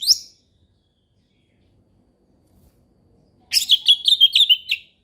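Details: Orange-headed thrush, ngeplong song. A single upslurred whistle is followed after a pause by a rapid, buzzy run of high chattering notes.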